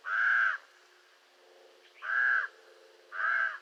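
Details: Common raven giving three long, harsh, nasal caws, each about half a second, separated by pauses of over a second.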